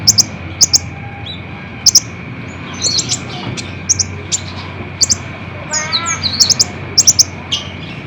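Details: Olive-backed sunbird song played to stir caged birds into answering: scattered very high, thin chips, some doubled, with a brief lower rasping harmonic call midway and a steady background hum.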